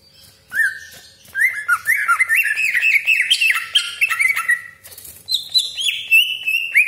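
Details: Greater green leafbird in full song with sharp 'tembakan' shots, harsh rasping 'besetan' and long rolls, meant to provoke other leafbirds at home or in contests; loud, varied whistled and slurred notes rising and falling, nearly continuous with one brief pause.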